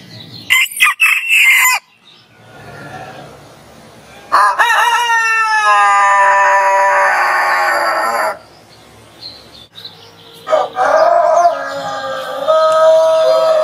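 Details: Morning rooster crows: a short harsh burst, then a long drawn-out crow of about four seconds with falling harmonics, and another crow rising again near the end.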